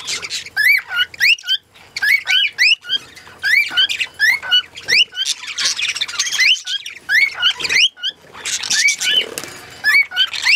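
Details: Steady whistled singing from a lutino cockatiel, with rapid rising and falling notes repeated in phrases and rougher, scratchy passages mixed in toward the middle and end.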